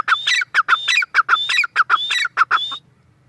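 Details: Female grey francolin (teetar) utters short, coarse notes and thin whistles in an even, quick rhythm, stopping near the end to leave only a soft low hum.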